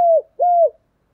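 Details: Two clear, level coos from a decoy spotted dove luring wild doves, each held steady and dropping at the end, separated by a short gap in otherwise silent surroundings.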